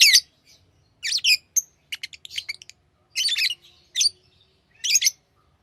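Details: Hand-fed lovebirds chirping: shrill, buzzy bursts interspersed with a quick string of short clicking chirps, the calls loud and high-pitched with short pauses.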